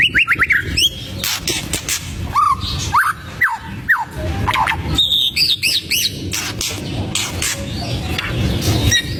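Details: White-rumped shama song used to provoke rival birds: clear whistled notes, a quick rising trill at the start, then spaced sliding whistles and scratchy bursts over low background noise.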